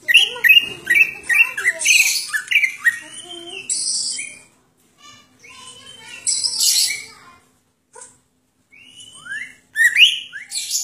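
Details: Song of a greater green leafbird in isian style, mixing rising whistled slurs, harsh high bursts and short chips, broken by brief pauses, with a low hum in the background.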